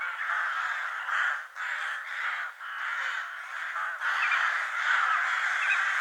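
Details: Many crows squabbling over food caw at once, harsh raspy calls merging into a steady din, with brief dips in loudness between bursts roughly every second.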